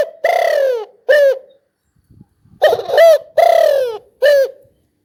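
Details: Spotted dove repeating its cooing phrase twice, a drawn, downward-sliding coo followed by a brief clipped note, with faint low rustling between phrases.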